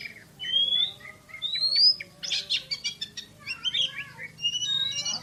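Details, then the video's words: Kacer, the Oriental magpie-robin, singing a rapid 'nembak' burst style: clear rising whistles, then clusters of short buzzy chips and fast trills, all packed closely together. "KACER JUARA SUARA TEMBAKAN !!! BURUNG KACER NEMBAK SPEED RAPAT"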